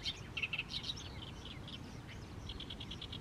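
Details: Oriental reed warbler singing on in the evening sun over a fallow rice field in mid-May: short bursts of harsh, chattering notes, several repeated quickly in a row, with low steady background rumble.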